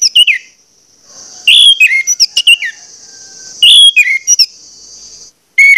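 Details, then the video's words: Orange-headed thrush lure song, loud and insistent, to prompt other males to sing. Sliding whistles and sharp chirps come in short bursts, with a continuous high buzzing tone in the background. "pancingan anis merah plong ngotot membangkitkan gairah anis merah lain untuk bunyi"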